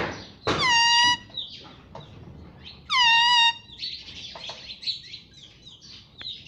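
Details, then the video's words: Pet Indian ringneck parrot that talks, saying words like "Mummy" and "Papa": two loud, drawn-out, voice-like syllables about two seconds apart, with a few softer chirps and squeaks between and after them. "मम्मी पापा बोलने वाला तोता _ Cute Indian Ringneck Parrot"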